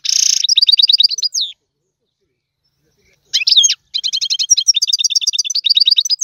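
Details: A goldfinch sings in the tiwawati style. A fast trill of high notes stops, a short silence follows, and then a long run of rapid, repeated metallic notes and twitters begins.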